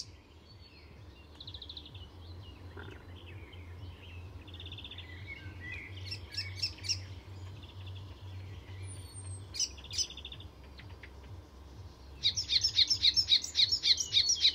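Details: Icterine Warbler in full song at Fysingen reserve north of Stockholm, Sweden, a mimic borrowing other species' calls: faint scattered chirps and trills, then a loud run of fast repeated high notes at the end over a steady low hum.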